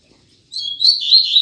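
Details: A male double-collared seedeater (coleiro) kept as a cage songbird starts a bright, high, warbling phrase after a half-second of quiet, with quick slurred notes that rise and fall.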